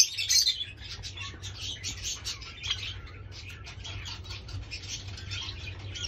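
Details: Fawn red-eyed Java sparrows give a steady stream of high, thin chirps and chips, with a louder burst near the start, over a low background hum.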